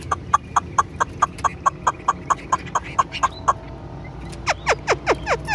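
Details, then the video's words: Caged Chinese hwamei, a fan-tailed bird said to be 95% tame, singing without pause: a fast series of sharp clipped notes about four per second, then steep downward-sweeping whistles. "Đuôi xòe hót không bỏ mỏ, chất giọng cực hay, chim thuần 95% | Hoạt Họa Mi"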